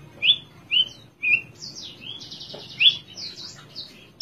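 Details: Spotted (trotol) Horsfield's bush lark kept in a cage, sitting calmly and singing: three clear rising whistles about half a second apart, then a rapid, buzzy trilled passage with high sweeping notes.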